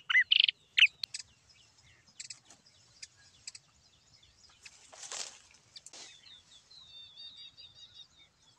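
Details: Yellow-eyed babblers at Silvassa, Dadra and Nagar Haveli, India: a few loud, sharp rising-and-falling whistled notes in the first second, followed by faint scattered chirps, a buzzy burst and a soft wavering trill.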